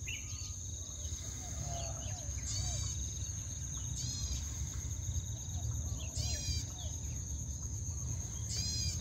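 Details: Birds singing early in the morning in Bali, giving bright stacked chirping bursts about every two seconds, with fainter warbled notes between, set against a continuous high-pitched insect whine and low background rumble.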